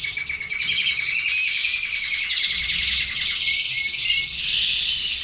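A red canary sings a continuous high, bright warble of rapid trills and chirps, rolling on without pause; a faint low hum sits underneath.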